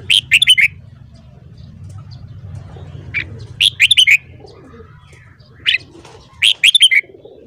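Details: Red-whiskered bulbul singing in the morning, delivering bursts of four or five rapid, bright whistled notes, with single isolated notes between phrases and a faint low hum.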